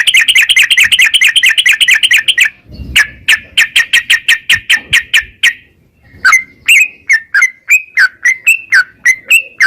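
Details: Caged yellow-vented bulbul singing fast 'narung ropel' chatter meant to prompt other birds to sing: a dense buzzy rattle, then steady separate clipped notes, then slower upslurred whistled chirps.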